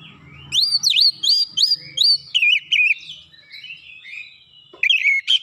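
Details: Oriental magpie-robin singing as a lure to draw a response. A quick series of six or seven bright rising whistles turns into a lower wavering warble, then fades to soft twitters before two final sharp notes.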